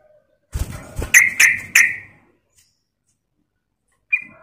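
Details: A sooty-headed bulbul gives three loud, bright chirping notes in quick succession, then a pause and one more note, after a short burst of low clattering noise.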